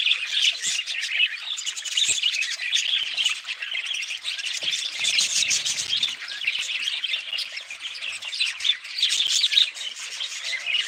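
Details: An extended run of budgerigar chatter, with a constant, high, scratchy warbling from many birds and sharp chirps and squawks scattered throughout.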